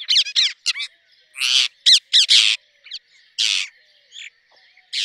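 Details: Rose-ringed parakeet calling with loud, rasping screeches mixed with quicker squeaky notes, delivered in irregular bursts with short silences between them.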